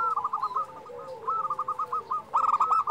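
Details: Continuous rippling, stuttering coos from a vocal local zebra dove, rising in strength toward the end, with a quieter lower tone beneath.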